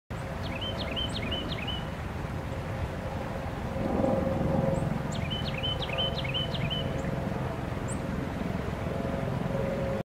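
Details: Carolina wren at Dufferin Islands sings two bursts of rapid, rolling phrases, each repeated four or five times, over a steady low rumble of distant traffic.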